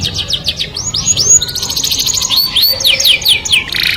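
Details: Canary song said to lure the opposite sex: arched whistles and buzzy trills in quick succession, ending with a harsh dense note, over a soft low background rumble.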